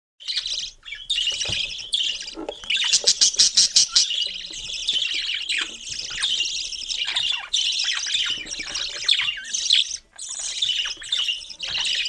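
A cockatiel chatters nonstop in shrill, scratchy chirps and bursts of rapid high notes.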